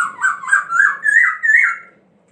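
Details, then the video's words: Laughingthrush singing as it dances: a continuous two-second warbling phrase of loud, linked, wavering whistles that gradually climbs in pitch before stopping abruptly. "Khướu Muá Hót"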